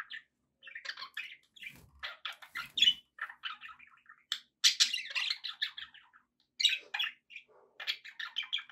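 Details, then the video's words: Budgerigars kept as pets chatter almost without pause, mixing rapid squeaky notes, grating buzzes and short whistled chirps in uneven bursts, with a couple of soft knocks partway through. "relaxing budgie sounds"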